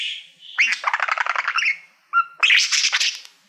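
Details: Male budgerigar, a pet fond of mirrors, warbling at a silver award plaque with a rapid rattling buzzy phrase, a short pure whistle, then another loud burst of grating chatter.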